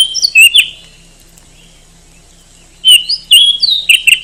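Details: Oriental magpie-robin, a popular competition songbird in Indonesia, giving a short loud whistled phrase with high chips, a pause of over two seconds, then a fast varied burst of slurred whistles and sharp notes.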